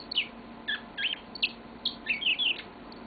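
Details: Short, lively stretch of a pet yellow-fronted canary's song: a handful of quick chirps and twisting whistled notes in close succession, indoors with a faint hum.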